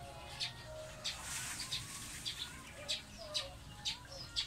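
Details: Eurasian tree sparrow (Passer montanus), called maya in the Philippines, an introduced urban bird, giving short, bright chirps about twice a second over background hiss with faint low tones underneath.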